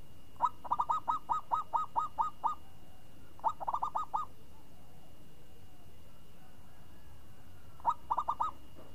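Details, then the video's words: Champion zebra dove with a crisp, swinging song: a long run of about ten arched, hollow coos near one pitch, then a burst of five, and after a pause a final cluster of four. A steady faint hum lies underneath. "Perkutut Juara Suara renyah ngayun"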